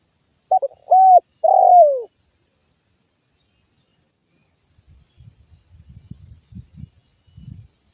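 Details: Spotted dove calling to its companions: a short clipped note, then two loud mellow hooting coos, the last sliding downward, followed after a pause by soft low rustling and knocking sounds.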